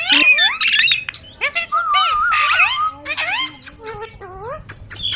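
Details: Talking Indian ringneck parrot kept as a pet: dense, speech-like chatter of rising whistled glides, a sustained level tone and harsh squawky bursts in quick succession.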